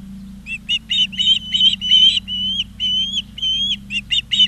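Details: On a live-camera nest in Charlo, Montana, an Osprey mixes short clipped chirps with longer upslurred whistles, calling almost continuously for several seconds over a faint hum.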